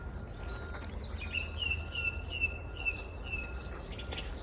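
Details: Song thrush singing in local woodland on a cloudy morning as spring and the breeding season approach: a short, bright phrase repeated about five times in quick succession, over the low rumble of a log-collecting vehicle where trees are being felled.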